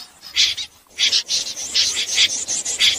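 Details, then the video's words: Snipe calls at night for net trapping: a string of dry, rasping notes repeated quickly, with a short lull near the start. "Tiếng dẽ giun lưới đêm"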